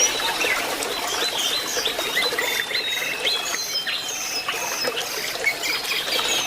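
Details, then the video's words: Jongkangan song used as therapy to get a bird that has stopped singing, or an untrained bird, to start whistling and chattering quickly: dense, busy run of short high chirps and thin whistled notes without pause, several notes overlapping. "Terapi burung jongkangan yang macet bunyi atau jongkangan bahan supaya lekas nyuling dan ngriwik"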